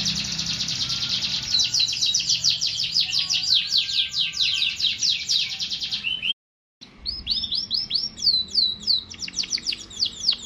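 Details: Canary pouring out quick rattling tours of high sweeping notes, pausing briefly, then returning with spaced, sharply curved chirps.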